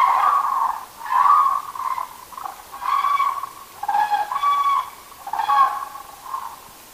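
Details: Several common cranes at a night gathering give loud, rolling trumpeting calls in overlapping bursts about once a second, forming a continuous resonant chorus.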